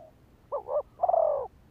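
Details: Spotted dove decoy call for enticing males: one phrase of a short, wavering double-noted coo and then a longer, smooth, slightly falling hollow note.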